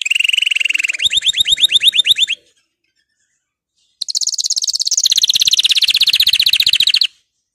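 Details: Canary song intended to stimulate canaries. Two long rolling trills of rapid repeated notes, each switching pitch partway through, separated by a silent pause of about one and a half seconds.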